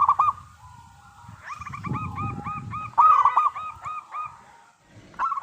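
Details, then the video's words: Lure song of a local zebra dove for drawing replies from other doves: short clusters of fast, rolling coos at a middle pitch, one long run in the middle, over a faint low rumble. "Perkutut Lokal Gacor Suara Paling Ampuh Untuk Pancingan Burung Perkutut Agar Bunyi"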